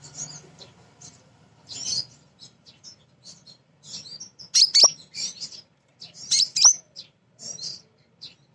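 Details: Lively female sunbird, kolibri ninja, singing to provoke other sunbirds. Scratchy high twittering phrases alternate with pauses, with two louder bursts of piercing chirps and fast downslurred squeaks.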